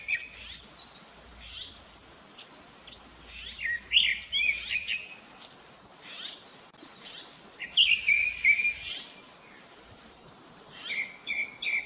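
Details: Rufous-bellied thrush (sabiá-laranjeira) singing: loud phrases of warbled, whistled notes, some sliding and trilled, delivered in bursts separated by short pauses.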